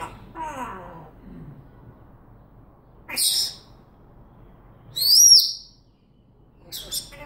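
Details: Household African grey parrot talking and whistling: a descending voice-like phrase at the start, a harsh squawky burst at three seconds, then a loud rising-and-falling high whistle and a short chirp.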